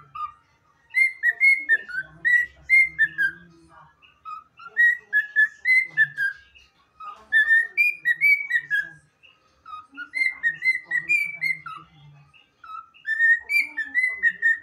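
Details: A pet cockatiel whistles an anthem in clear, bright phrases that rise and fall, pausing every few seconds before starting the tune again.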